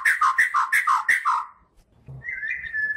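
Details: White-rumped shama from Kalimantan, a master-song bird for training songbirds, repeats a clear downslurred whistled note about six times in quick rhythm, then a pause and a thin sustained whistle.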